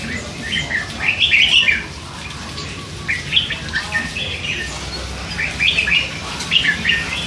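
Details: Hand-fed young red-whiskered bulbul, three months old, kept caged, chattering all day: bursts of bright, quick chirpy warbled notes in short phrases, loudest near the start, with pauses between and a soft low background hum.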